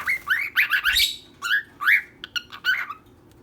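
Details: Pair of pet birds, one female and one male, giving loud, harsh, overlapping chirps in quick succession, some rising sharply, then tailing off into softer single notes.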